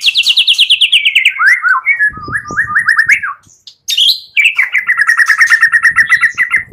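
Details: White-rumped shama morning lure song meant to make shamas sing. A fast descending series of clipped repeated notes slides into looping slurred whistles, a short break, then a long steady rapid run of repeated chirping notes.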